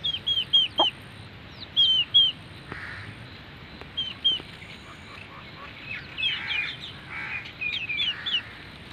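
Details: Newly hatched Aseel chicks with a grey hen in Mianwali: high, thin, downslurred peeps in quick bursts of three or four, irregularly spaced, over steady background hiss.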